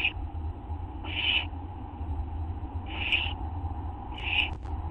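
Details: Owl screeches at 11:04 PM on August 24, 2011, from a group getting bolder: three loud, noisy, rasping bursts roughly every two seconds, the middle ones strongest, over a low continuous hum.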